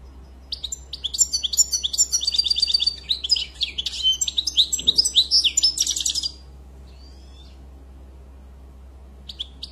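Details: European goldfinch singing an extended, dense stream of twittering and buzzy trills for about six seconds, then quiet with brief faint notes; low steady hum.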